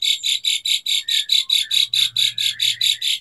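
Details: Rapid harsh rasping bursts from an Asian pied starling, repeated evenly about four times a second throughout.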